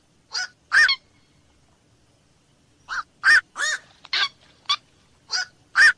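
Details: Harsh, honking croaks of a black-crowned night heron at night, a pair of notes, then a rapid series of rough 'kwok' calls after a pause.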